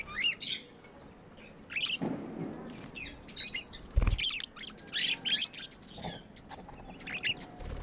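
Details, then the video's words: High chirps and squeaky twitters from pet budgerigars come in uneven bursts, broken by a few dull knocks and thumps nearby. "Budgies amazing love & chirping sounds"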